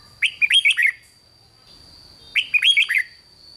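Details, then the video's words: Thai 'rik' style song of a red-whiskered bulbul, sung to make other bulbuls lively: two matching phrases of five fast, bright, warbled whistles, about two seconds apart, with a thin constant high tone throughout. "เสียงนกกรงหัวจุก ร้อง ริก ยั้วให้นกคึกดีมาก"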